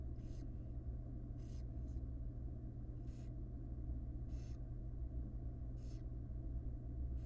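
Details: Wild barn owls at a nest as the mother, after casting large pellets, feeds her chicks: raspy hissing bursts repeated about every one to one and a half seconds over a loud steady low hum.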